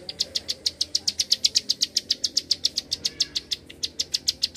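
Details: Quick 'gacor' clicks from a bar-winged prinia. Sharp, high ticking notes follow each other at a brisk, regular pace for over four seconds, with one short gap near the end.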